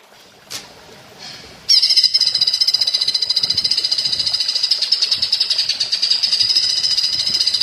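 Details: Greater green leafbird singing in woodpecker style for a training recording: faint notes, then an abrupt, intense high rattle of rapid repeated pulses, sustained evenly for six seconds.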